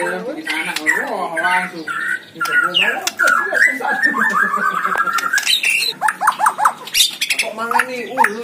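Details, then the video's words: Singing white-rumped shama at a bird contest. Dense harsh chatter and squawks mix with downslurred and upslurred whistles, then a steady rapid series of quick whistled notes near the end. "GANTANGAN MURAI BATU || GACOR DORRRR"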